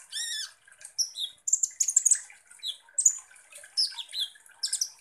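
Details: Van Hasselt's sunbird song used as a provoking lure for konin birds: opens with a harsh buzzy note, then sharp high chips, brief descending whistles and squeaky twitters in irregular bursts.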